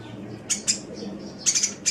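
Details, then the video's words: Sunbird training recording for cage birds: harsh, squeaky high bursts, two spaced notes, then a rapid chattering triple and a final squeak, over a rumbling low background. "Masteran Suara Kolibri"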